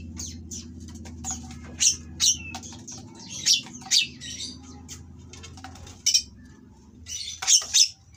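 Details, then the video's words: Oriental magpie-robin in breeding condition producing scattered sharp, high chipping and squeaky notes with short gaps, as rough song meant to provoke rivals, over a steady low hum. "Burung Kacer Kawin Bongkar Materi Kasar Bikin Lawan Langsung Emosi / Masteran Kacer Gacor"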